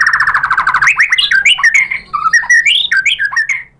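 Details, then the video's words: {'text': 'White-rumped shama song used to coax other shamas into song. A quick series of repeated chirps leads into rich, varied whistled phrases that slide up and down.'} "KICAUAN MURAI BATU memancing BUNYI jadi NYAUT GACOR BONGKAR MATERI | PANCINGAN MURAI"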